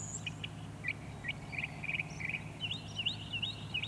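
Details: Northern mockingbird singing on Cape Cod, Massachusetts, on 14 October 2023, on the last day of a trip. A faint run of short chirped and slurred notes, high-pitched and changing as it goes, over a steady low hum.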